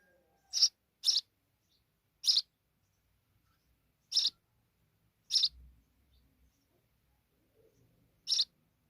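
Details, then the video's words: Sparrow chicks in Pakistan, fed insects by their quickly returning mother, give six short, high, dry chirps spaced unevenly across nine seconds, with quiet gaps between and faint low rustling after the fifth chirp. "Sparrow's Mother are Return very Quickly for Babies to feed them Insects"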